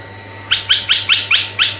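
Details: Red-eyed bulbul song played to lure other bulbuls, male or female: six sharp, bright chirps rising then falling, evenly spaced about every fifth of a second, with a faint steady hum underneath.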